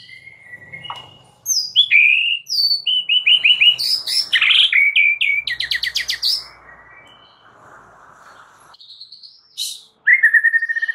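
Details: White-rumped shama singing, used to prompt a silent bird to reply: slurred whistles and buzzy rattles, a fast trill, a quieter stretch, then a rapid run of repeated whistled notes.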